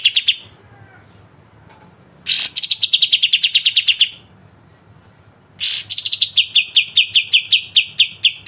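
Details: Pied triller, known locally as kapas tembak, singing a sharp besetan-style song used for training songbirds: bursts of rapid, sharp ticking notes that start high and settle slightly lower, each lasting about two seconds and separated by quiet gaps.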